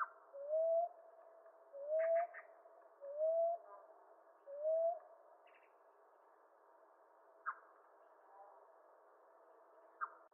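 A common ground dove gives four soft, rising, whoop-like coos about every 1.3 seconds, with faint chirps and clicks from other birds in the background.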